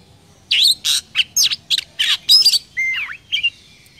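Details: Vietnamese Oriental magpie-robin, 'chỏ mồi' song meant to rouse other birds: a handful of loud clipped notes and twisting slurs, ending in a clear drawn-out whistle and a short flourish, faint hum behind.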